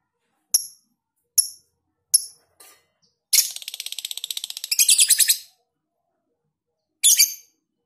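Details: Lovebird's long 'ngekek' trill with tight gaps, kept as tutor audio for training other birds: several sharp high chirps, then a dense, rapid buzzing trill of about two seconds, and one more brief chirp burst after a pause.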